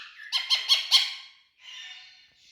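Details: Big male Indian talking parrots give four rapid, nasal, high squawks, then a longer hoarse, rasping screech.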